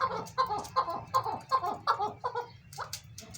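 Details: A big-sized captive breeding pair of chukar partridges in 'chakor masti' calling, giving loud, hoarse clucks repeated evenly at nearly three per second, then trailing off into softer, fainter notes.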